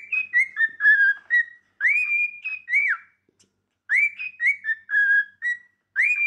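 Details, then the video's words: Cockatiels practising song: a repeated whistled phrase of descending steps, then a rising, held note and a quick swoop down, phrases starting about every two seconds, clean and loud in a quiet room. "Cockatiels singing practice"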